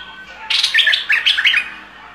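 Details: Bulbul in the aggressive singing style giving one short phrase of rapid, bubbling whistled notes over a faint background hum.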